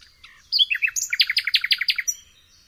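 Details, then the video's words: Loud nightingale phrase: a few descending slurred notes lead into a rapid, rhythmic rattle of about a dozen sharp repeated notes lasting over a second. "SOOTHING SOUND OF THE Nightingale"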